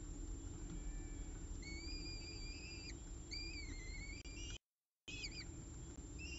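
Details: Peregrine falcons at their nest during an evening meal, CSU Orange nestcam, 18 October 2018 near 6:51 pm; drawn-out, level whining calls that bend upward at the ends, repeated a few times over constant low hum.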